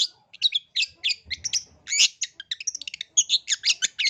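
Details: Long-tailed shrike in full song, used as a lure for young shrikes: a quick stream of scratchy chirps, harsh buzzes and sharp clicking notes with barely a pause between them.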